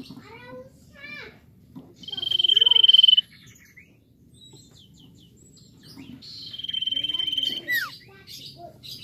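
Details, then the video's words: Common iora singing vigorously to spur other birds into song: short slurred whistles lead into a sustained high, fast trill lasting about a second. A second long trill with a falling whistle follows some four seconds later. Faint low hum beneath. "CIPOH atau SIRTU GACOR AMPUH UNTUK MERANGSANG BUNYI BURUNG BAHAN"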